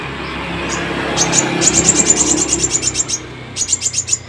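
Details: Crested jay singing in the morning: a quick series of sharp, very high clicking notes, about two per second, pausing briefly then resuming, over a low background rumble.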